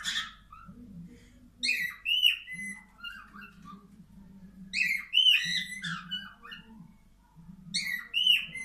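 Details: A male cockatiel in breeding display inside a nest box whistles to the female, giving bursts of bright, warbling whistles with sharp chirps that repeat every few seconds.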